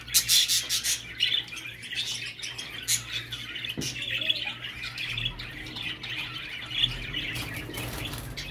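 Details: Budgerigar chatter used to stimulate a male budgie to mate: dense, continuous, scratchy warbling with rapid squeaky chirps and clicks, busiest at the start and again near the end, over a faint steady low hum.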